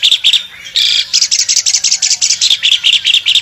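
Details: An albino Asian pied starling opens its wings and sings, mixing a few sharp chirps, a brief harsh grating phrase, and a rapid run of bright chattering notes.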